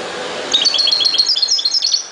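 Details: Goldfinch song of the ghoroub type, a continuous fast run of high, liquid twittering and trilled notes, about a second and a half long, over faint background hiss.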